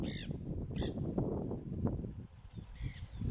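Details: Wild macaws in Brazil's Pantanal or Amazon, filmed 2016–2017: two short, hoarse, ringing squawks early on, a fainter call near the end, with steady low outdoor rumble underneath.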